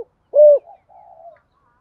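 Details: Decoy spotted dove cooing in the cú huých style to lure wild doves in: one loud, steady hollow coo, then softer level murmuring notes and silence.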